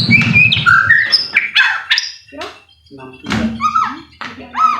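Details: White-rumped shama song played as a lure to set another bird singing: scattered whistled slurs and short harsh notes with pauses, with a low murmur near the start.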